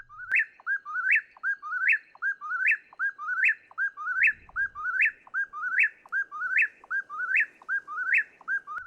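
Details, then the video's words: An Eastern Whip-poor-will sings its own name at night: a loud, whistled three-part phrase rising at the end, repeated over a dozen times at a brisk, steady pace; the species may repeat it hundreds of times without stopping. "This bird repeats its own name over and over, sometimes hundreds of times without stopping, all night long."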